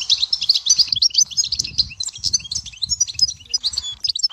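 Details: European goldfinch from the Dahouara area of Souk Ahras pouring out an unbroken stream of rapid, high, tinkling twitters and trills, with soft low thumps in the background throughout.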